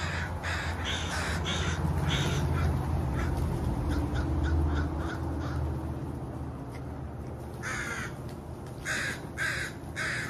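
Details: Harsh crow caws repeated in quick succession, a pause, then a final cluster of loud caws near the end, over heavy low-frequency rumble.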